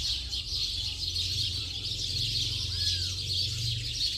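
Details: A noisy late-afternoon gathering of house sparrows keeps up shrill, overlapping chirps throughout. A single lower, arching whistled note rises and falls midway, and a droning hum sits below.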